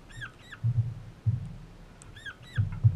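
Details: A young Crimson rosella in a backyard in Australia gives two pairs of short, squeaky, arched notes about two seconds apart, over low dull thumps close by.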